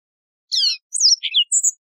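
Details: Brief burst of Yellow-fronted canary song: a buzzy, high chirp followed by a few sliding whistled notes and a thin high whistle, in a clean recording with no background noise.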